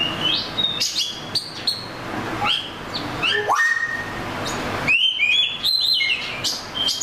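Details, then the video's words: Oriental magpie-robin delivering melodious whistles, rising slurs and trills, with rapid clustered chirps near the end and brief pauses between phrases. "The Melodic Tunes of the Oriental Magpie Robin Bird"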